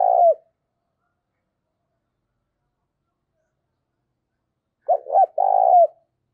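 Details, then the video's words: Decoy coo of a spotted dove, in the urging and calling style. The tail of one low phrase is followed by a quiet gap, then two quick hooked notes and a long, steady, falling coo. "tiếng chim cu gáy Mồi thúc và gáy gọi"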